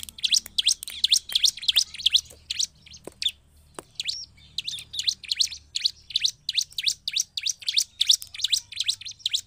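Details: Bar-winged prinia song, lively and meant to provoke other prinias: crisp high chirps repeated about three times a second, a short hesitation after three seconds, then an even, unbroken series.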